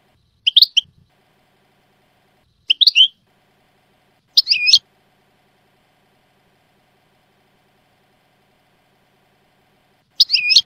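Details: European goldfinch song in the Jordanian style, from a song-tutoring recording: short bursts of bright, rapid twittering notes, four phrases spaced unevenly over ten seconds with silence between them.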